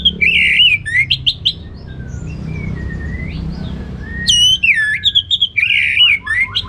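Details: Ngeplong gacor song of an orange-headed thrush: loud, tumbling whistled phrases with quick upward sweeps, a softer interlude of thin slurred notes, then another bright, varied burst of rapid whistles.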